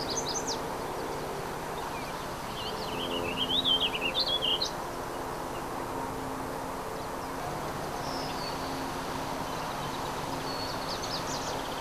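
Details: Warbling Vireo at Second Marsh, Oshawa, gives one rambling, rolling warble of about two seconds, with brief high chirps from other birds before and after, over a steady low traffic hum.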